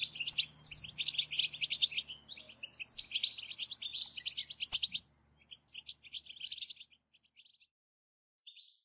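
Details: Group bitbita twittering of European goldfinches, played to rouse silent goldfinches into song. Rich, fast tinkling chatter thins after the midpoint into scattered short chirps, then a final brief twitter. A faint low hum is audible early.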